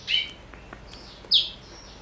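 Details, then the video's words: Four-year-old male black-throated canary, Somerini x Botswana cross, kept as a pet, utters two bright, high chirps about a second apart against a faint background hiss. "Kicau Merdu BLACKTRHOAT SOMBOS Somerini x Bostwana Usia 4 Tahun"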